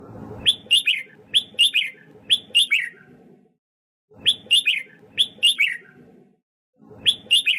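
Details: Red-whiskered bulbul singing as voice training and to stir newly caught birds into song: bright whistled phrases of three to four quick slurred notes, repeated in bursts with short pauses, over a low rumbling background.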